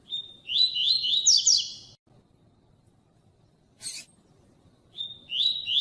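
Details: Double-collared seedeater of the tui tui style, played to warm up other males into singing: a buzzy steady note near mid-high pitch breaking into quick rising trills, repeated after a pause, with one sharp click.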